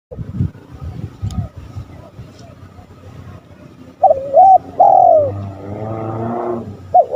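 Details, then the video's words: Spotted dove cooing, from a lure recording meant to provoke rival males: a few seconds of low rumbling background, then loud bowed coos with a rising-falling shape and a short final note. "Suara tekukur paling di cari lawan"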